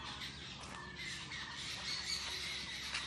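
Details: Jungle babblers, locally called saat bhagi in Rajshahi and living in groups, in a mango orchard: dense harsh, squawking chatter runs continuously through the clip over steady rural background noise.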